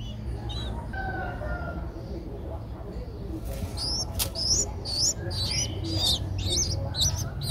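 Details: Nestling Streak-eared Bulbul, aged 11 days, Ubon Ratchathani, Thailand, 13 April 2023. Quiet at first, then from about four seconds high, upslurred squeaks come in a rapid, uneven run, with a low rumble underneath.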